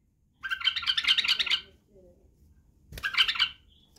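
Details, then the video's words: White-eared bulbul, a Badrawi bulbul, singing as a model for teaching young bulbuls to sing, do the barwaz and click the wings: two dense, buzzy chattering bursts, the first over a second long, the second shorter, with a quiet gap between. "لتخريج وتعليم افراخ البلابل على التغريد و البرواز وطك الجناح بلبل بدراوي"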